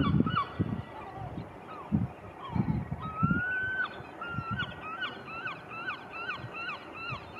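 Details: A Eurasian curlew at Bangor on 26 November 2019 gives one long rising whistle, then a rapid run of short, upslurred notes about three a second, over low wind rumble.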